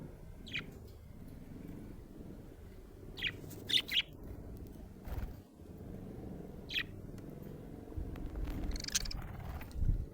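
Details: Happy budgerigar chirping indoors: short, sharp high chirps in small clusters, a pair near the middle and single notes spaced several seconds apart, over a low room rumble.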